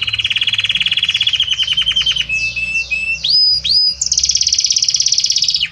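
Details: Belgian canary with a harmonious, gradually evolving song: a fast rolling trill breaking into sliding descending notes, upswept whistles, then a high steady buzzy trill.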